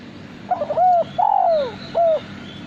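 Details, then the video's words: Loud, clear cooing phrase from a male spotted dove kept for song contests: stuttered short notes lead into a long, gently falling coo and a final shorter coo; faint higher bird calls behind. "Derkuku Suara Bersih"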